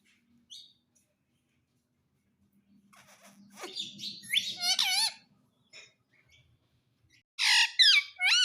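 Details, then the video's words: Pet talking parrot: soft rumbling and scratchy sounds give way to loud, wavering, warbled squawks, with a burst of repeated harsh screeches at the end. "Talking Parrot"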